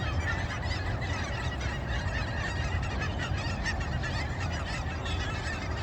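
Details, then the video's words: A flock of Canada geese at sunrise, with continuous overlapping harsh honks from many birds and a constant deep background rumble. "Canada Geese making noise at Sunrise"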